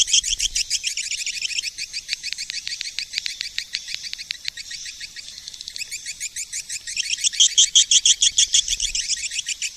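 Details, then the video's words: Swiftlet lure call, 2020: rapid high chirps in a running chatter that eases in the middle, then returns as crisp, louder pulses near the end. "SUARA PANGGIL BURUNG WALET TERBARU TAHUN 2020!!"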